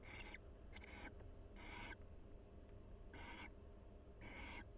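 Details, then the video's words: Quiet conversation between two barn owls bonding in a University of Florida nest box: five brief, breathy, screechy hisses, two close together early on, then three more spread out. "Sweet Conversation: Barn Owl Pair Chats and Preens Inside the Nest"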